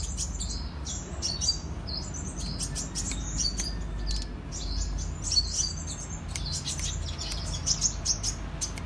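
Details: Kolibri raja sunbird in vigorous cetrekan song, pouring out quick thin chirps and clicks at high pitch, phrases tumbling one into another, with a constant low hum underneath.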